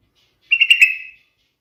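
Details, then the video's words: Yellow-vented bulbul (trucukan) giving a short, bubbly warbled phrase of under a second, fairly steady in pitch with a few quick rising and falling notes and a sharp click near the end; no other sounds. "SUARA BURUNG TRUCUKAN TERMERDU | The most melodious sound of the Trucukan bird"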